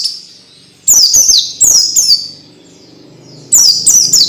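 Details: Orange-headed thrush tutor sound, played to get young birds singing quickly and often: three bursts of high, fast, whistled notes that sweep sharply downward, each burst under half a second, separated by quiet gaps with faint low background hum.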